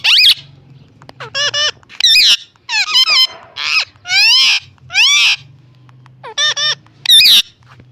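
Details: Pet parrot making unusual, funny sounds never heard from it before; loud harsh squawks and squeaky, warbling rising-falling notes in short bursts, about a dozen over eight seconds, with a low hum between calls.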